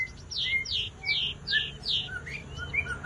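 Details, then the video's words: Javan bush lark singing strongly, with five loud, evenly spaced down-slurred whistles, each trailed by a softer lower chirp, followed by quieter twittering notes. "Pesona burung Branjangan gacor"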